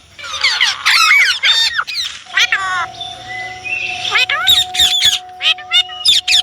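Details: Indian ringneck parrot, a pet bird, chattering in rapid bursts of bent, warbling notes and squawks, with a long steady whistle-like tone running through the middle and short sharp calls near the end.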